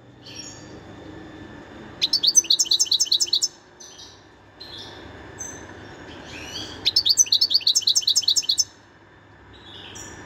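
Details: Wild European goldfinch singing in 2021: two bright tinkling bursts of rapid twittered notes, each lasting about a second and a half, separated by quieter pauses over a steady low hum.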